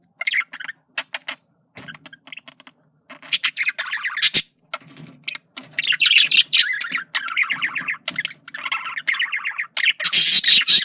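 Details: A flirting male budgerigar opens with spaced clicks and chirps, building into continuous loud, rasping warbled chatter with harsh squawky notes and rapid trills.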